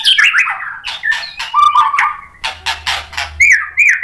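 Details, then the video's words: Shama singing hard after being provoked by a rival: mixed rich whistled phrases and quick slurred notes, broken by several rough, noisy bursts, then more bright whistles. "MURAI BATU GACOR bikin EMOSI NYAUT FIGHTER jadi BONGKAR ISIAN | PANCINGAN MURAI"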